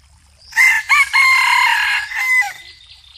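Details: A wild junglefowl, filmed during trapping with a decoy as birds fight, gives a harsh, strained crow lasting about two seconds, broken into a few choppy bursts and cut off abruptly, over a faint low rumble.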